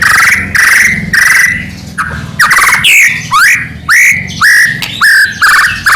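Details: Medan white-rumped shama singing nonstop with rich filler phrases, a lure recording meant to provoke rival shamas into answering; harsh, slightly squawky rising notes repeated about twice a second over a low droning hum.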